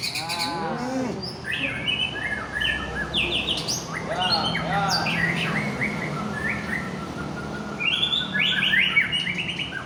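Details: White-rumped shama of the Aceh type, described as a fighter bird in full form, singing rich varied whistled phrases: rising and falling slurs, sharp upslurs and quick trills, with a few lower throaty notes at the start and steady background hum.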